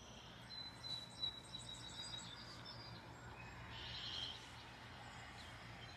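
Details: Birds chirping at sunrise in the USA; a quiet run of thin, high whistled notes, then a short buzzy burst, with faint low hum throughout.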